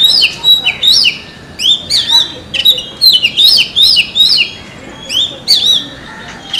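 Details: Oriental magpie-robin singing in a forest: loud, varied whistled phrases of clear rising and falling notes with sharp high chirps, delivered in quick bursts separated by brief pauses.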